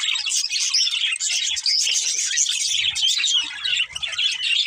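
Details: Budgerigars, a pet pair, chattering in a steady rush of high, scratchy chirps and squeaky warbles, with a few sharp whistled notes mixed in; a soft low rumble appears midway.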